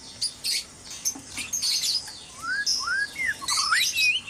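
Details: Caged white-rumped shamas at dawn in a breeding aviary: a run of short upward-slurred whistles and clear looping notes, interleaved with high rapid chips and tweets from more than one bird, busy and continuous.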